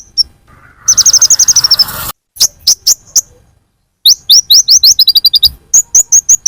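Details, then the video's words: Lure sound of a purple-throated sunbird (kolibri ninja) used to attract birds: a fast trill of sharp high chips, then spaced single clicks, then quick downslurred high notes repeated in a lively series. "Pancingan konin paling ampuh full suara pikat burung Kolibri ninja"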